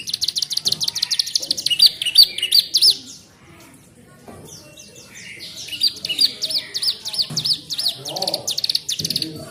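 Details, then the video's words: Canary singing a fill-in song copied from a mountain ciblek tutor. Rapid high chattering trills with bright whistled accents break off into a short lull, then resume as a long, fast, buzzy twittering phrase with faint background noise. "kenari isian ciblek gunung"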